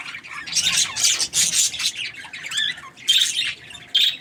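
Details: Budgerigars chirping happily with rapid harsh chattering bursts, a few twisting whistled notes, and squawks in quick succession.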